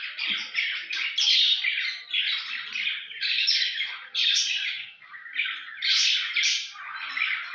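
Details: Budgerigars (Melopsittacus undulatus) chatter during courtship and mating in a continuous warble of harsh squawks, buzzy trills and bright chirps.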